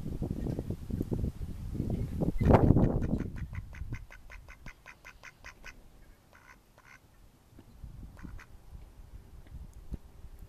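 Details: Mallard ducks in May 2014: a run of rapid, repeated nasal quacks in the middle, fading toward the end, after a stretch of loud low rumbling noise at the start.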